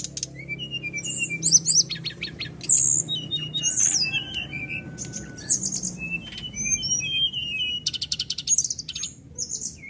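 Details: Brown-chested jungle flycatcher singing non-stop with rough-style fill notes, used to prompt caged birds to sing. A dense run of high whistles, sharp chirps and fast buzzy trills, with brief pauses and faint low background rumble.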